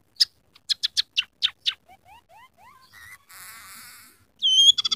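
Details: Scaly-breasted munia singing a song that mimics house sparrow, red siskin and canary: a run of sharp clicking chirps, then soft rising whistles and a buzzy rattle, ending in loud squeaky notes.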